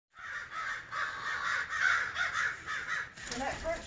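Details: A mob of American crows attacking an injured barred owl caw harshly and overlapping, about two calls a second in a steady clamor, as a Doberman chases them off; a person's voice comes in near the end.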